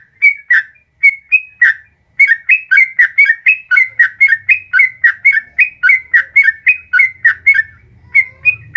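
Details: Yellow-vented bulbul (trucukan) in long rapid 'ropel panjang' singing, meant to coax a caged bird into replying: quick bubbly whistled notes rising and falling, delivered in a fast, almost unbroken stream after a few opening phrases.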